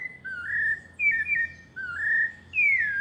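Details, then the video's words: Pale-breasted thrush singing the melodious paulista song: four drawn-out whistled phrases, rising, wavering and falling, closely spaced, over a faint steady low hum. "Sabiá parda paulista canto melodioso"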